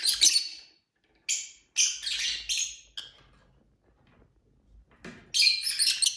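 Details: Pet lovebirds of several colours, chirping and fighting: dense, harsh, buzzy high chirps in overlapping bursts, a quieter pause, then a loud chattering outburst.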